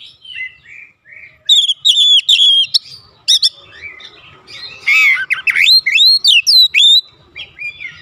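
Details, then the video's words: Kacer, the Oriental magpie-robin, singing in the open, energetic 'ngeplong gacor' style used to stir household birds to reply; soft opening whistles, then dense bursts of high sliding notes, trills and sharp upsweeps, faint low background rumble. "AUTO RESPON NGEPLONG GACOR KACER ANDA DIRUMAH"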